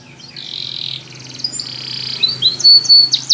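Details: Spanish Timbrado canary singing for training: soft buzzy held tones over a low hum, rising to a bright pure whistle and sharp emphatic notes at the end.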